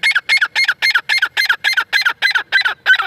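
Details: Female grey francolin, known locally as teetar, giving a fast string of short harsh squawking notes, about four per second, steady and evenly spaced throughout.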